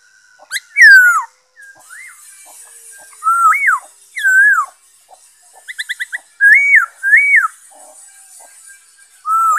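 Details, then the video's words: Black-throated laughingthrush singing, recorded 5 May 2021: loud, clear whistled phrases, some rising then falling and some slurred and looping, given in bursts separated by pauses, with short rapid repeated notes in between. "Saib noog sab hwj zoo nkauj,bay khuou,นกกะรางคอดำ"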